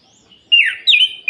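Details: Short bright whistles from an orange-headed thrush singing at night to provoke other males: three quick slurred notes, the first dipping, the second rising and the last cut short.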